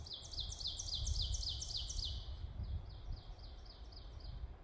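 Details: Ovenbirds call to each other in woodland on the Kemptville Campus, Ontario, in May. A loud, ringing teacher-teacher-teacher series rises in volume, and a second, fainter bird answers with the same repeated phrase, over low rumble.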